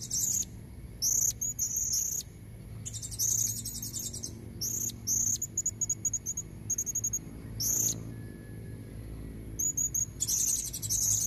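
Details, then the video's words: A female blue-crowned hanging parrot calls to lure red-necked males. Clusters of piercing squeaks and rattling buzzy bursts recur every second or two over about eleven seconds, with short quiet gaps. "Suara serindit betina buat pancingan jantan leher merah"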